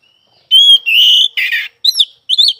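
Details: Singing oriental magpie-robin: a clear high whistle, then a long buzzy rasp, a scratchy burst and two sharp, rising chirped phrases separated by short pauses.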